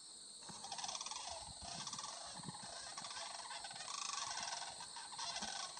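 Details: Over 100 Sandhill Cranes gathered near a cut corn field near Lindsay, Ontario, on 25 September 2020, preening and interacting; overlapping rolling, rattling calls from many birds run almost continuously, over a steady high insect chorus.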